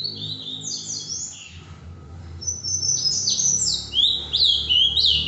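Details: Ultramarine grosbeak (azulão) from Paraná, Brazil, singing two rich, sweet warbled phrases of quick slurred notes, high-pitched and fast, with a soft low hum underneath.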